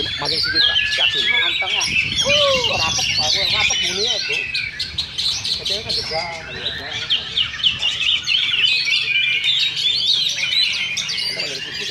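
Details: Oriental magpie-robins duelling at a Sunday practice singing contest in Sindanglaut, session 2: dense, high, continuous warbling of whistles, trills and rapid chirps, overlapping, while people talk loudly nearby.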